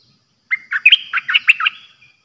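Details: Caged decoy Streak-eared bulbul giving its 'dok' song on 6 May 2022: a rapid string of about seven bright, bubbling warbled notes lasting under two seconds, background quiet.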